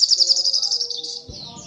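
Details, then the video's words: Brief burst of Brown-throated sunbird song, a fast series of high, sharp chirps running into a thin fading twitter, followed by low background noise. "SUARA BURUNG SOGOK ONTONG GACOR"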